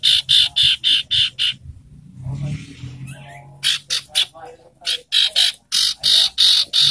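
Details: Ashy tailorbird lure call for stirring up birds in breeding condition: rapid, harsh, buzzy high notes repeated about four per second, broken by a short pause with a low rumble, then resuming just as fast.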